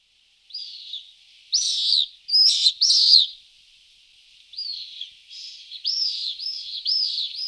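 Pallid swifts give harsh, buzzy screams, arched trills repeated about twice a second, some loud and close, others fainter. No other sounds stand out.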